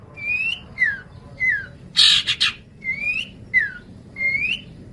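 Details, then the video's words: Long-tailed shrike singing, recorded as a tutor track for cage birds: clear, downslurred whistles repeated about every half second, broken once by a loud, harsh rasping burst in the middle. "Masteran Terbaik Pentet / Cendet"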